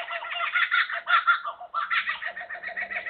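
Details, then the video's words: Laughing Kookaburra giving its territorial laugh, rapid throaty chuckles rising into hoots, dense and continuous for three seconds, possibly more than one bird; this laugh is often delivered by several birds together. "the territorial call is a distinctive laugh that is often delivered by several birds at the same time"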